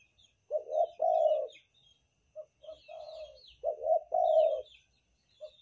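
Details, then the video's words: Derkuku, spotted dove of Banten type, used as a lure: repeated low coo phrases, two quick notes then a long burred coo, about every two seconds, with scattered thin chirps of other birds above. "suara pikat derkuku banten super ampuh untuk pancingan"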